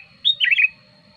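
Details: Sooty-headed bulbul song played as a lure for wild bulbuls and as a tutor: a high sweeping note, then a bubbling, liquid, up-and-down warble lasting about half a second, over a faint constant whine.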